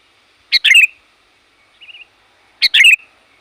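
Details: Sooty-headed bulbul giving loud, varied calls to summon wild bulbuls; sharp burst of harsh chirped notes repeated about every two seconds, with a soft short warble between, in an otherwise quiet setting.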